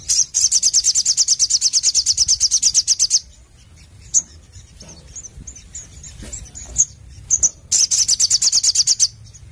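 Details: Sogon, or Crimson Sunbird, singing 'gacor nembak nglaper': a fast, piercing high trill of steady rapid notes for about three seconds, then sparse thin chirps, then the trill bursts out again for nearly two seconds.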